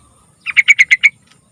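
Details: Yellow-vented bulbul (trucukan) song, used as a lure to get young bulbuls singing: a quick burst of five or six bubbly, chattering notes in a little over half a second, against a quiet background.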